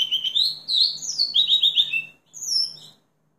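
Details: House finch song: a lively warbled phrase of rapid varied notes sweeping between high and very high pitches, slurred and twittering for about two seconds, then a short pause and a brief high closing flourish; faint low hum beneath.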